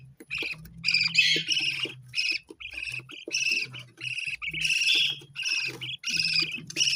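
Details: Parrot keeping up a fast, continuous warbling chatter of short buzzy and whistled syllables, broken by tiny gaps, over a faint low hum.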